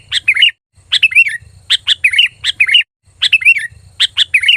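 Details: Sooty-headed bulbul calling loudly and clearly as a lure that draws replies from other bulbuls: short bursts of bright, bubbly chirps in quick clusters, a brief silence between groups, and a faint low hum throughout.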